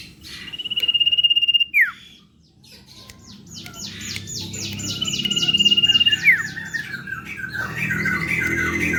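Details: Common iora in lively full song used as a lure: a long sustained high trill ending in a sharp downward slur, repeated twice, with a buzzy rapid stutter series before the second trill.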